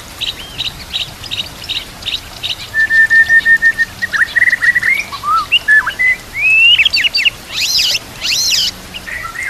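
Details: White-rumped shama master song for training: a long even whistle, then rising slurred phrases climbing in pitch, ending in loud buzzy high bursts, over a soft natural background.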